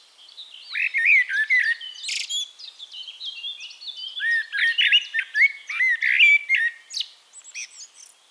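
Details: Extended Eurasian blackbird song recorded in Castricum, the Netherlands: a continuous stream of mellow fluty warbles mixed with sharp high squeaks and twittering flourishes.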